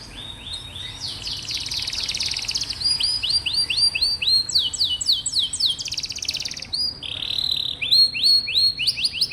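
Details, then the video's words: Canary song used as a tutor for young canaries and reluctant singers: fast rolling trills and rapid runs of sharp, down-slurred high notes, changing tempo between phrases, with some buzzy stretches, against a quiet background. "Suara burung kenari bikin hati senang, dan masteran burung kenari muda dan jarang bunyi"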